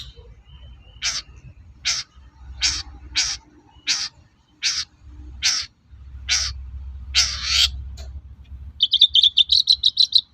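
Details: Long-tailed shrike sounds meant to lure other shrikes into answering: loud harsh rasping calls repeated roughly every two-thirds of a second, ending in a fast stuttering trill, over low background rumble.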